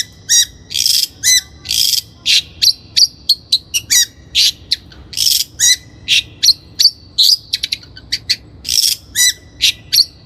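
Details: Energetic Long-tailed shrike song meant as a lure for training birds: a steady stream of harsh, scratchy bursts alternating with thin whistled chirps, delivered almost continuously with only brief breaks.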